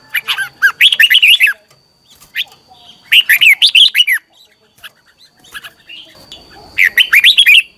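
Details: Lure song of a red-whiskered bulbul at morning practice: three energetic phrases of fast, rolling warbled chirps, each lasting about a second, with a few stray chirps between them and a faint background whine.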